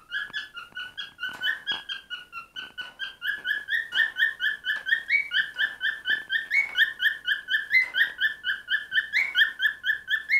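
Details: Pet cockatiel singing: a long run of rhythmic whistled notes, about two per second, each note a short warbling chirp with occasional upward slides, steady and repeated throughout with faint clicks in the background.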